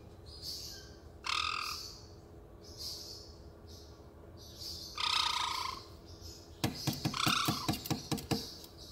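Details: Izzy, a male caique, clucking inside a cabinet, seemingly enjoying hearing his own voice: harsh, raspy nasal squawks, then a quick run of sharp clicking clucks near the end, over a faint steady hum; Caique.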